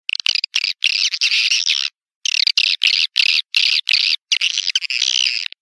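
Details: Lure call for attracting swiftlets to bird houses: bursts of high, rasping chirps in quick groups separated by short silences, with one longer pause near the middle.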